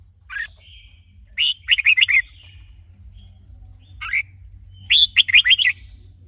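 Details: Red-whiskered bulbul, trained to sing with a female spurring on the male: twice a single rising note is followed by a quick, chattering cluster of four or five sharp, warbled notes.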